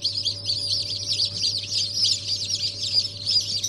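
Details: Brahma chicken chicks, newly hatched ornamental chicks from the first hatch of the year on 14 January 2023: a dense chorus of many high, overlapping peeps, continuous throughout, over a steady low mechanical hum.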